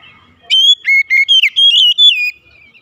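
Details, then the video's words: White-rumped shama singing in the morning, delivering a single clean phrase of five or six rich whistled notes, some slurred upward, others flat, in a quiet setting. "TERAPI OCEHAN KACER DI PAGI HARI"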